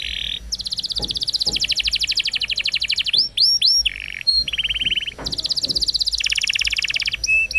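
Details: Roll-singing canary for training young birds: long continuous rattling trills at changing pitches, broken by a few sweeping whistles and short notes, with faint low thumps in the background.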